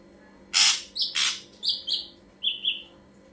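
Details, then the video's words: Ashy drongo song meant to lure other birds: two harsh rasping blasts, then a string of short clear whistles, the last two lower and paired, over a faint steady hum. "burung ombyokanmu pasti langsung nyaut"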